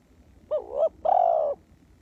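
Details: Spotted dove used as a ground decoy to lure wild doves: a short rising-falling coo, then a longer steady, slightly rolling coo at a low mid pitch, over quiet background hum.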